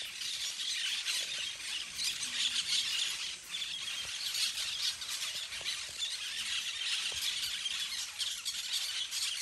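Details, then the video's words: A flock of parakeets at play in the trees fills the air with steady, overlapping shrill screeches and squeals, many birds calling together without a break. "flock of parakeets playing in the trees / bandada de pericos jugando en los arboles"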